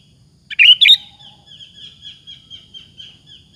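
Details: Sooty-headed bulbul singing as a lure to stir other bulbuls: two quick liquid whistled notes, then a trail of faint thin repeated high notes over a low hum.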